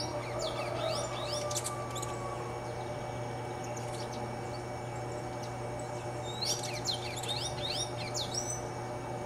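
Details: Red-cowled cardinal (Paroaria dominicana) singing in a mango tree: two bursts of quick, high sliding notes a few seconds apart, over a steady low mechanical hum.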